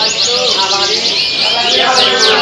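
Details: Small-bodied canary performing at a songbird contest sings a long, unbroken run of rapid high trills and rolling sweeps, with a faint murmur of voices and other birds behind.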